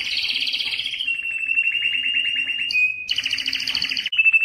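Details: Belgian canary song meant to stimulate females for breeding: rich rolled trills sliding into a long even trill, a brief pure whistle, then a burst of higher rattling trills and another clear whistled note.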